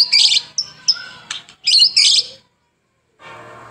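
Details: Murai batu (white-rumped shama) singing in gacor form as a lure recording: dense, bright high bursts and short whistles in quick clusters, a pause, then a faint low hum.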